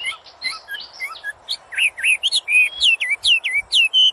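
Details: Common hill myna producing various sounds: soft chirps at first, then louder rapid whistled notes, many rising or bending downward, delivered in a quick uneven series of about sixteen separate notes.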